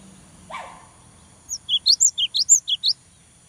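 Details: Cinereous tit, used to stimulate daily singing in young birds, delivering a run of about ten sharp, high slurred chirps after a brief low rustle.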